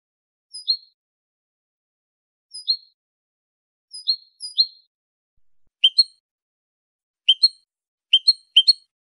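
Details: European goldfinch, limpio (clean) song recorded in 2023: spaced high double chirps repeated every couple of seconds, becoming quicker and more clustered toward the end, with no other sounds.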